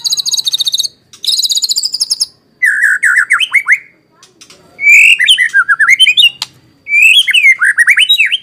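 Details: Lure recording of a white-rumped shama, meant to make other shamas sing and to serve as a tutor: high rattling trills, then several varied phrases of rich whistled notes sliding up and down, separated by short pauses.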